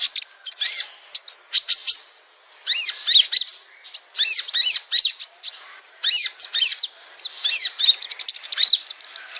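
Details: Lure calls of the brown-throated sunbird, locally kolibri ninja or konin: bright, high chirps and sharp twitters in clustered bursts separated by brief pauses, with no other sounds.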